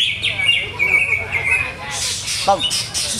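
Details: Greater green leafbird kept in a cage while its setup is still being tried out, giving a long thin whistled phrase that steps up and down, followed by harsh bright chattering bursts and a short downward slur.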